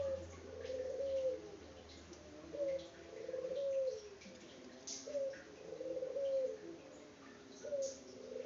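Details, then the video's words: Unedited local puter dove from Indonesia cooing again and again, rolling phrases with drawn-out endings, heard through background hiss and low droning noise. "BURUNG PUTER LOKAL GACOR ISTIMEWA"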